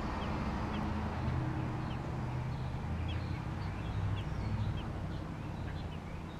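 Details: American robin nestlings in Georgia utter sharp, thin, upslurred chirps spaced irregularly about every half second, with a steady low rumbling hum underneath.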